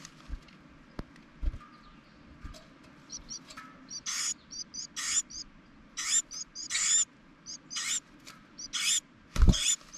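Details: Carolina wren from a family nesting on top of a propane tank in spring, where the mother feeds her young, giving about a dozen harsh, raspy chattering bursts in quick succession mixed with thin high chips over a low background rumble.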